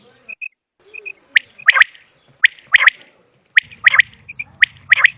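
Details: Common quail calls, recorded for quail hunting: sharp, broadband notes in quick groups of two or three, repeated roughly every second, with soft high tonal pips between bursts and a faint low hum late on.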